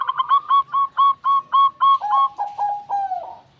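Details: Rapid, evenly spaced clipped coos from a zebra dove, a string of about ten bright notes that then drop lower and stretch longer near the end of the phrase.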